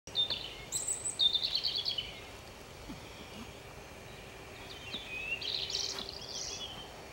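European robin singing two high, thin, warbling phrases of quick varied notes, separated by a pause, over a steady background hiss.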